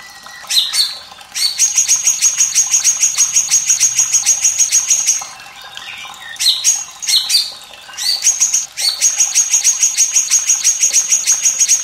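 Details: White-rumped shama song used to train young and lazy singers: long rapid ticking trills on one high pitch, broken by sharp swooping whistles, repeated in bursts.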